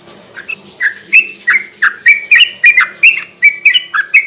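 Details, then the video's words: Sooty-headed bulbul song in the spirited garuda ropel style, a night lure for stirring rival birds: brisk chain of bright chirps and slurs, starting sparse and quickening into a steady stream over four seconds. "kicau suara burung trucukan gacor garuda ropel ini cocok buat pancingan trucuk bahan di malam hari"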